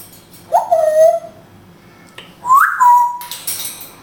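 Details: Pet African grey parrot from Israel, kept indoors and known for speaking Hebrew, gives two clear whistled notes about two seconds apart, each sliding up then settling into a steady tone, in a quiet small room.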